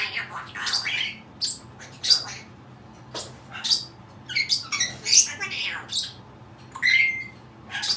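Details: A pet Cape parrot giving odd vocalisations: irregular rasping squawks and clipped chatters in quick clusters, with one thin whistled note near the end, against a low steady hum.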